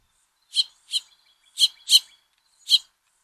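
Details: Resident house finch fledglings, nesting in dense arborvitae bushes by a deck, giving five harsh high chips, partly paired, over about three seconds.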